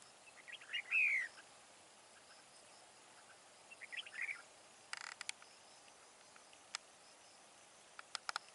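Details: A wild-caught red-whiskered bulbul decoy used for fight-trapping sings a single clear, downward-sliding whistled phrase, then a fainter chirpy phrase, followed by sharp clicking sounds.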